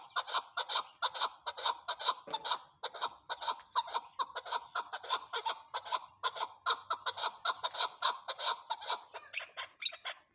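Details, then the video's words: Chukar partridge giving a long, steady series of rough chattering chuck notes at about two per second, loud and evenly repeated for ten seconds, cackling in tone, with the background otherwise quiet. "chakor ki awaz"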